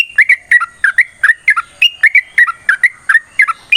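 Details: Yellow-vented bulbul singing a long fighting-style 'ropel' song meant as a lure to set other bulbuls singing: paired bubbly liquid notes, rising and falling, repeated steadily with short gaps.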